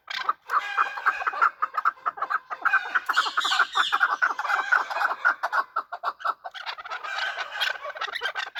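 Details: Chukar partridges fighting, a dense run of harsh clucking chuck notes near mid pitch, fast and overlapping, with a brief noisy rustle in the middle and calling continuing to the end.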